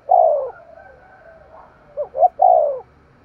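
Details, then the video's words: Spotted dove kept as a decoy, calling in the thúc gù style with a sharp voice: one long falling coo, a soft low murmur, then two short notes and a second drawn-out coo. "Tiếng chim cu mồi thúc gù// giọng bén bổi"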